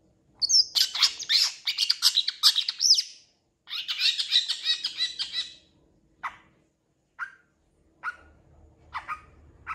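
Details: Vigorous singing from a long-tailed shrike, said to mimic cats and chickens, recorded as tutor material for training birds. Two long runs of scratchy, tumbling chatter give way to short, widely spaced single notes over faint low hum.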